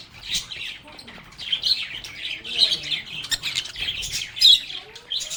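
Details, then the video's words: Lovebirds talking and singing to each other in a continuous stream of rapid, high twittering chirps that rise and fall in loudness, with short squeaky accents. "Lovebirds agapornis sounds | Relaxing Sounds of Singing, Playing, and Talking Parakeets"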